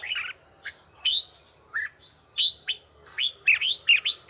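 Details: Red-whiskered bulbul practising its bell-toned song in even rhythm: separate short, bright, slurred whistled notes and quick warbles spaced by brief gaps, growing denser toward the end over a faint low hum.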